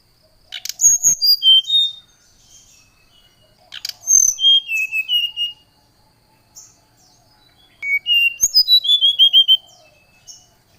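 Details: Oriental magpie-robin song meant to provoke a rival bird: three loud phrases of quick, sweet whistled notes sliding downward, each lasting about a second and a half and spaced about three seconds apart, with little background sound.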